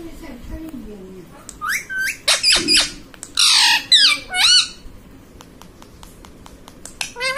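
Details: Pet rose-ringed parakeet imitating human words such as 'mummy papa': faint low murmur first, then a cluster of loud, scratchy, voice-like phrases with bending pitch midway, and a last high squawk.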